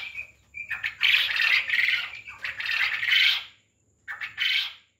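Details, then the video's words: Quail on a quail farm: short, thin chirps near the start, then a loud, harsh, raspy burst lasting about a second, more rough squawks, a brief gap and a final scratchy burst. "Quail Voice||Batar ki Awaz"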